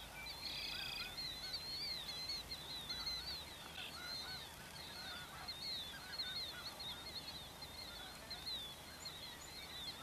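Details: Migrating snow geese in spring on the Dakota prairies, feeding alongside Ross's geese and other waterfowl; a busy chorus of high, yelping, wavering honks from many birds, some louder calls standing out near the start.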